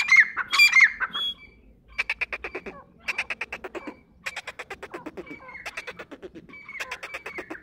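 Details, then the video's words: Grey francolin, called dakhni teetar; bursts of rapid, harsh pulsed notes come in runs of about a second, separated by short pauses, with a few higher squeaky notes and laughter at the start. "Grey Francolin Teetar Ki Awaz Dakhni Teetar"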